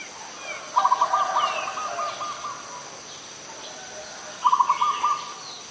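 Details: Adult Zebra dove at Ubon Ratchathani, Thailand, recorded 21 September 2022. It gives a fast, stuttering coo that trails into a longer trill, then a short repeat, over a constant hiss with distant high chirps.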